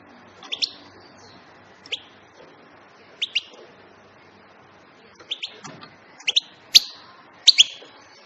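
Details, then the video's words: European goldfinch giving short bright chirps, mostly in quick pairs, separated by pauses of about a second, with a busier cluster of sharp notes near the end; faint hiss behind. "بتبتات طائر الحسون بصوت رائع جدا"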